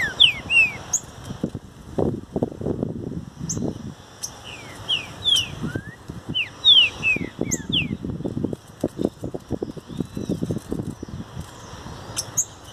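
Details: Green-winged saltator in a natural setting: clear down-slurred whistles in short groups, often two or three together, over repeated low thumping and rustling noises.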